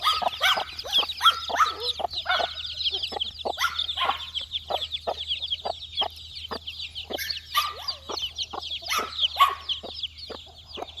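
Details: Four-day-old chicks look for insects, calling in busy, high-pitched cheeps, some rising and some falling. Frequent sharp pecking clicks and scratching noises punctuate the calls.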